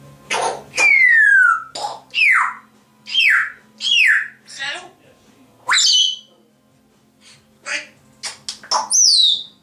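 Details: Two pet grey parrots whistling and chattering: loud, clear whistles sliding steeply downward, a few upward sweeps and short squawky notes, spaced about a second apart in a room.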